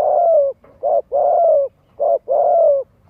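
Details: Spotted dove cooing used as a lure in Vietnam to get young birds practising: drawn-out, slightly falling coos alternating with shorter clipped ones, about five notes in a steady rhythm, loud and close.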